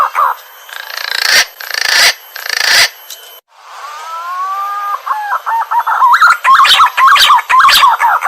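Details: Green pigeon lure call: after about three seconds of harsh rustling bursts, two long smooth whistles glide gently downward, followed by a fast series of short rising-falling whistled notes.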